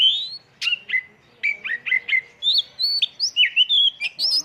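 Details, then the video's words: Kacer, or oriental magpie-robin, lure song in full-isian tembakan style: a rapid, continuous run of loud whistled notes, first repeated downslurs, then higher, varied rising and twisting phrases ending with a scratchy flourish. "pancingan burung Kacer fulisian tembakan"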